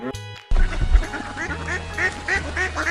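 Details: Muscovy duck giving a rapid run of short, nasal quacks, about three per second after an abrupt start, over a steady rhythmic music backing.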